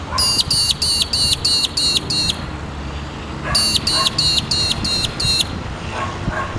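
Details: An Australian Magpie-lark (Peewee, Grallina cyanoleuca) gives two bursts of about seven sharp, ringing notes, quick and even, over a low traffic rumble with faint dog barks near the end.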